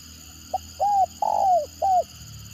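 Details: One spotted dove phrase in the 'gagap' or stuttering style: a quick clipped note, then a short coo, a longer downward-trailing coo, and a last brief coo, clear against low background hum.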